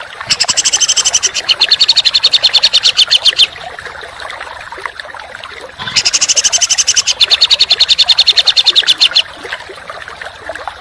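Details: Dense contest-bird masteran: two long bursts of rapid, harsh, high-pitched rattling notes, each running about three seconds, separated by a quieter gap with faint background twittering.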